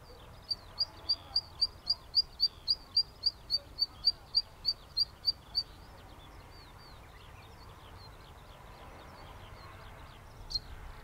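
A Zitting Cisticola repeats sharp, high 'zit' notes about three or four times a second for five seconds, then falls silent over a soft background hiss.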